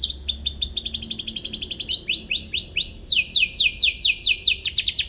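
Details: Atlantic canary (kenari) chirping in search of a rival, used as a model for young birds learning song; high rolling trills of repeated upward-swept notes, changing phrase every second or two, loud throughout with faint low background hum.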